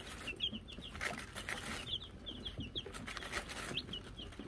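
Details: Chicken cam of Wyandotte chicks with a new bell, May 2022: bursts of short high peeping in clusters, over hissy broadband rustling and scratching.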